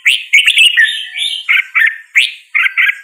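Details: Red-whiskered bulbul in continuous song, a chain of loud, liquid whistled notes rising and falling, with crisp doubled syllables in quick succession.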